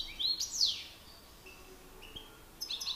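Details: European goldfinch males in a singing battle, a master bird against an excited one: a short sweeping twitter at the start, then sparse thin notes and a brief tinkling burst at the end.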